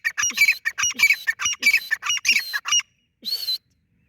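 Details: Francolin running through rapid rasping, squawky notes for nearly three seconds, then one drawn-out buzzy whistle after a brief pause.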